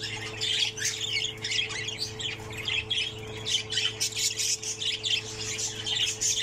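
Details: Lone remaining budgerigar chick, pseudo Texas opaline, from a brood of six in the nest: rough, buzzy squawks run together in a near-constant stream, a steady mechanical hum underneath.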